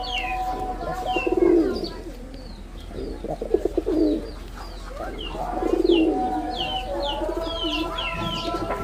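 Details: Male red-bordered wild pigeon calling: deep, throaty coos come in three bouts a few seconds apart, while sharp high chirps from other birds fill the background.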